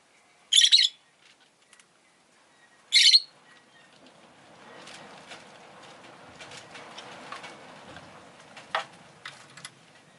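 Two loud, harsh, high-pitched shrieks from a rosy-faced lovebird, about two and a half seconds apart, followed by soft rustling and scratching.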